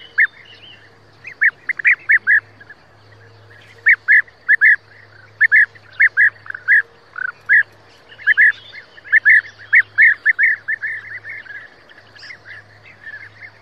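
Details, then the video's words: European bee-eater uttering burry, rolling calls repeated in quick groups throughout, at times several notes close together, over a quiet low hum. "European Bee eater sound"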